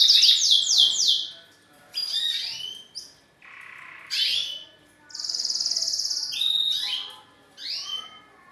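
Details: Male canary singing to a female to stimulate her into mating posture: fast high trills and rapid rolls, then a long steady buzzing roll and rising whistled notes in separate bursts.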